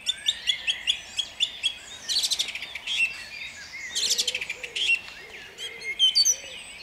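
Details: Song thrush singing at dawn in Jabłonna on 29 April 2021: a short note struck several times in quick succession, then varied shrill, chattering phrases with sharp high accents.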